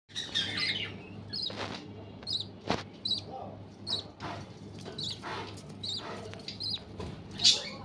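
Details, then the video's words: A family of clearwing budgerigars with chicks chatters in quick, scratchy, high chirps and warbles, several birds calling at once in short bursts roughly every second, over a low steady hum. "CLEARWING BUDGIES FAMILY । বাচ্চা সহ বাজরিগার পাখি"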